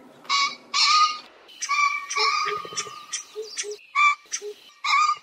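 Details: Common pheasant giving a rapid series of harsh, nasal, croaking notes of uneven length, some doubled, with short gaps between them and lower hoarse undertones in the middle of the sequence.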